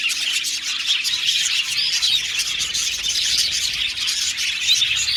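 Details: Aviary colony of budgies chirping together: continuous shrill twittering and short squeaky notes layered from many birds at an even loudness throughout.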